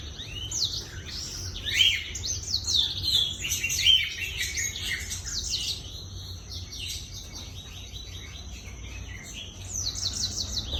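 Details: Black-throated canary singing actively, used as a lure recording: a fast, continuous twittering warble of high chirps, trills and short slurred notes, with occasional brief pauses and faint low background hum.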